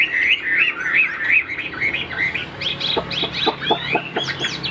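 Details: Three-yellow (tam hoàng) hwamei in a cage, afternoon and not yet in full voice, gives wavering whistles followed by quick sharp clicking notes in a rapid series, over light background noise.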